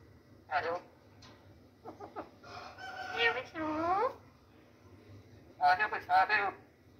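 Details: Parrot talking in a happy mood: short clear speech-like syllables with layered harmonics, a few quick bursts, then a longer drawn-out phrase with gliding tones, a pause, and another pair of chattering word-like calls; a low hum sits underneath.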